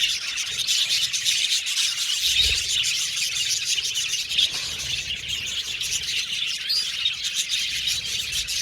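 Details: Many budgies chirping at once, a steady high wash of tweets and buzzy chatter with no gaps, interrupted once by a brief low thud.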